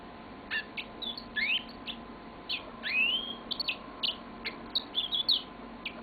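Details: Pet yellow-fronted canary singing a loose series of sharp chirps and longer whistled upslurs, spaced irregularly then bunching into quick twitters, with steady low hum in the room.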